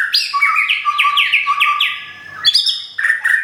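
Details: Song of a white-rumped shama from Thung Song, Thailand, newly relocated and nearly through its molt: a rapid run of repeated downslurred whistles, a short pause, then rich varied high whistled notes.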